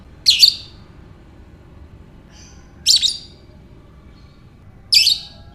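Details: Lovebird ngekek calls: three short grating high-pitched chatters roughly two and a half seconds apart, a faint chirp between, over quiet low hum.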